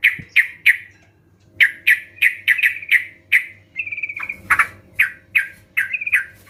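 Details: Sooty-headed bulbuls in an ombyokan lure recording of many birds, used to prompt reluctant bulbuls to sing. Short burry chirps near the same pitch come in quick bursts, then a pause, then a brief trilled run and more scattered notes.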